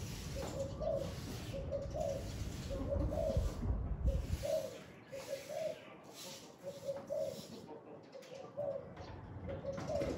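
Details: Spotted dove on a very windy day, cooing repeatedly in a long series of soft, low, two- and three-note phrases, with gusting wind rushing loudly and easing off in between.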